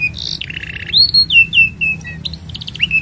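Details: Canary singing a master song for young birds: buzzy rolled trill, then descending whistled slurs, short chips and a final swoop, with steady low hum behind.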